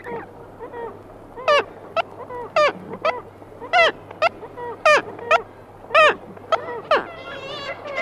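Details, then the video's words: Black-legged kittiwake: a single bird close up gives various nasal, wailing calls rising and falling, about one per second, while others answer more faintly at mid distance, by the sea, over a low steady hum. "Kittiwake. Single Bird Giving Various Calls CU, With Others Answering MP."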